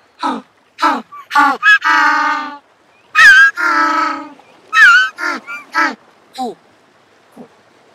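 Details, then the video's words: Jackass penguin, the African or Cape penguin of southern Africa's rocky shores, braying like a donkey: short harsh gasping honks, then long nasal drawn-out notes with strong harmonics, repeated in a loud sequence before fading out. "Jackass Penguin Sound Call Noise - African Penguin Sound Call - Cape Penguin Sound Call Sound"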